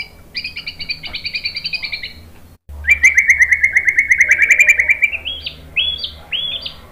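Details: White-rumped shama training song: a steady high two-toned pulsing trill, a short break, then a long loud rattling trill slowly climbing in pitch, ending in rising whistled notes repeated about once a second.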